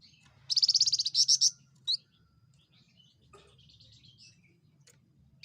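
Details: Small insect-eating Javan fulvetta with a loud voice, delivering a quick rattling run of about ten bright, high notes. A sharp separate note follows, then scattered faint chirps over quiet background.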